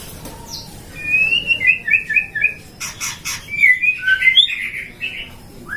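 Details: White-rumped shama raised in captivity in Depok, Indonesia, a bird prized in singing contests: a rapid series of repeated whistled double notes, harsh buzzy bursts, then twisting bright warbled phrases and a final rising whistle.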